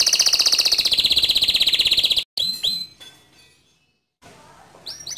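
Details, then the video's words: Male canary in full rolling song: a rapid high trill of about four notes per second for two seconds, then a gap, scattered sharp downslurred whistles, a silence, and soft renewed notes. "Suara Kicau Kenari Jantan Gacor Ngerol Nembak Cocok Dijadikan Masteran Kenari Muda"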